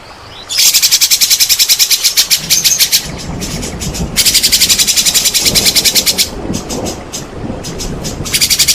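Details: Lure song of a white-rumped shama, meant to stir lazy shamas into song: long runs of loud, rapid, metallic high-pitched notes broken by short pauses, with low rumbling background noise.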